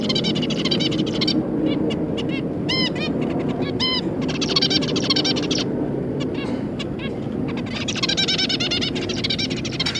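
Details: Zebra finches, two parents and three juveniles, with a few clear nasal beeping calls standing out amid a loud continuous hiss and dense buzzy chatter from many birds.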